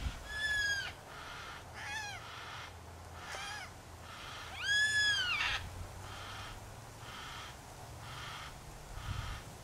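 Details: Yellow-tailed black cockatoo, one of a group including a male, in bushland tracks of Royal National Park near Heathcote, Australia, gives four loud, wailing calls rising then falling over about five seconds, over steady hiss.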